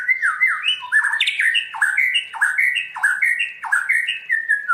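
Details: White-rumped shama singing in the forest style (giọng rừng): loud whistled phrases of sliding, stepped notes that keep dipping and rising again. Notes come quickly and steadily. No other clear sounds.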